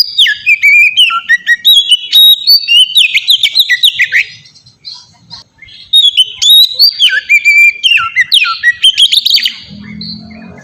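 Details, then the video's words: Melodious white-rumped shama song for luring other shamas into song: two long bursts of varied whistles, chips and slides separated by a short quiet gap, with a low hum near the end. "suara burung kacer ngeplong merdu sangat ampuh buat pancingan kacer bahan bikin cepat gacor"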